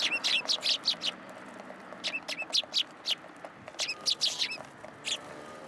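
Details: Tree sparrows gathering for food on a pillar at a Tenmangu shrine, 27 December 2022: rapid overlapping high chirps in short runs, several birds calling at once with brief gaps between bursts.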